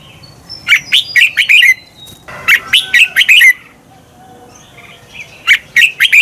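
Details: Red-whiskered bulbul competition song in a double-twist voice, for training birds: two bursts of rapid loud chirps ending in slurred whistles, then a softer start of another phrase.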